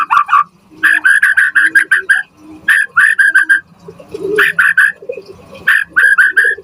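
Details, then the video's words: Murai batu (white-rumped shama) song used as a training lure. Short bursts of five to seven quick, mellow repeated notes, separated by pauses of about one second. "Pancingan Murai Batu Gacor Auto NYAUT cepat RESPON Buat Masteran Burung Murai Agar Gacor Full Isian"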